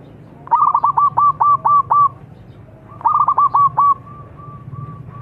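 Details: Zebra dove song played as a lure to make birds sing: two bursts of fast stuttering coos, the first of about eight notes, the second shorter and trailing into a few drawn-out level tones, with quiet between.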